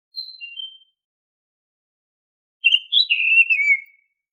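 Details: Oriental magpie-robin whistled song used as a lure to make caged birds sing: two short pure whistles, then after a pause a longer warbled phrase of slurred, falling whistles on a silent background.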